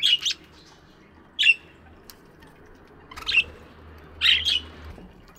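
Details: Chirping budgies in an aviary in the morning: four separate short harsh squawk bursts, roughly one to two seconds apart, over a quiet low hum.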